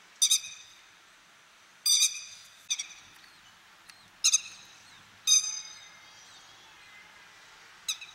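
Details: A Grey-headed lapwing in Japan, a bird of fields, grassland and waterside, gives loud, harsh, nasal calls, single or doubled, in bursts every one to two seconds, with faint thin bird notes in the background.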